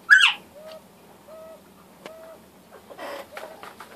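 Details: Northern bobwhite giving one loud, rising, slightly harsh whistled note at the very start, followed by faint short low tones repeated roughly every 0.8 seconds and some scratchy rustling noise toward the end.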